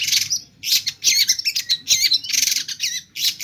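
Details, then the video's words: Long-tailed shrike in loud song full of mimicked phrases, a fast harsh jumble of screechy notes and quick high warbles in repeated bursts. "Cendet gacor ll pentet motor GP nembak full isian lasrol"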